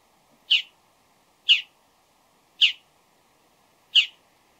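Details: Pre-dawn Bull-headed shrike giving loud, harsh, rasping calls, four in a row, repeated roughly once a second, each short and buzzy, with a quiet background.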